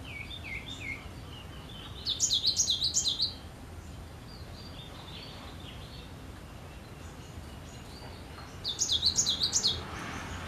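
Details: Cinereous tit singing: a few soft lower notes, then two loud bursts of fast, high see-saw notes roughly six seconds apart, quiet background hiss between phrases.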